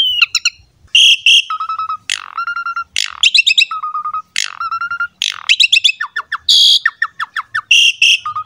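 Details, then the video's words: Asian pied starling in energetic 'gacor mompa' song, used to prompt young starlings to sing: clear whistled notes alternate with bursts of rapid stacked chips and steady low whistles, the phrases packed closely with short gaps. "PANCINGAN JALAK SUREN GACOR MOMPA FULL MATERI MEWAH UNTUK JALAK MUDA"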